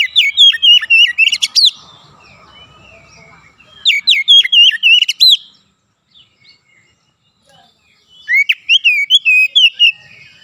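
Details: Three bursts of Oriental magpie-robin song, each about one and a half seconds of loud chirped and whistled notes in quick series, separated by quiet gaps with faint soft calls.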